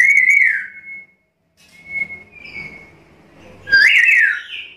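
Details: Black-capped lory giving a full, busy calling sequence, used as lure and tutor audio: a wavering whistle sliding down into a flat note, quieter steady whistles, then a loud harsh rising-and-falling screechy call.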